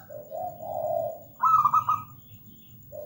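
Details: Zebra dove, local perkutut, singing: a low mellow drawn-out coo followed by a quick stuttering series of brighter rolling notes, then a short final coo.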